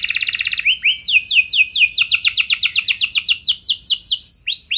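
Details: Canary song used to lure other canaries into singing: an opening rapid buzz, then steady series of falling whistled notes about four per second, ending with a few thin looped notes.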